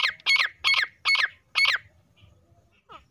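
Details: Female grey francolin, known locally as teetar, calling for hunters: five loud, raspy, squawking notes in quick succession, about two and a half per second, then a pause with softer, thinner distant notes.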